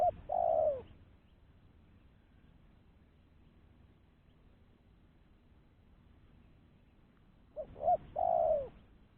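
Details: Lure call of a spotted dove, used to draw in other doves: a low falling coo ends one phrase, then after about seven quiet seconds two short hoots lead into another long, mellow, downslurred coo.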